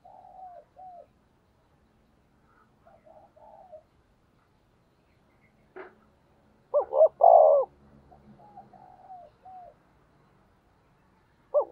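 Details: Decoy spotted dove in a cooing duel aimed at wild doves: soft, low, wavering murmured coos interrupted by one loud phrase of two short notes and a long, rich coo, with a faint click.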